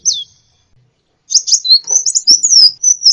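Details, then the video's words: Sunbird (kolibri ninja) masteran training song: a single high falling note, a pause, then a quick tumbling twitter of high thin whistles and chips with faint clicks. "masteran burung gacoan, Kolibri"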